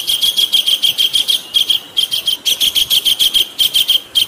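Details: Kingfisher from a masteran recording with flowing water behind it. A continuous stream of shrill, high, rattling notes repeats rapidly, about three each second, with brief gaps between bursts.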